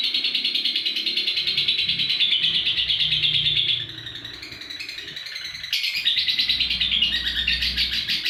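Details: Lovebird giving a long ngekek trill, used as a master recording to train other birds to sing; a fast, continuous, high buzzy chatter with rapid regular pulses, briefly softer mid-phrase before resuming loudly.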